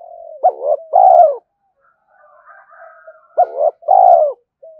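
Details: Spotted dove coos used as a decoy to draw in wild doves: two loud phrases, each a quick broken hoot followed by a longer falling coo, with faint dove murmurs between.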